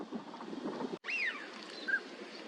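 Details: A wintering northern pintail (Anas acuta) at Junsai-ike park pond, Chiba, Japan, in January 2026: a single clear whistle slides steeply downward, then a brief soft whistled note follows, with wind or water noise in the first second.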